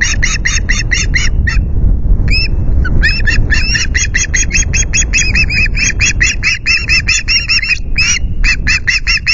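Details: At Loch Garten on 9 August, 09:00, indignant wild ospreys on a nest camera screech an intruding osprey away from the nest: long bursts of fast, repeated piercing kew-like notes with brief breaks, over a constant low rumble of wind.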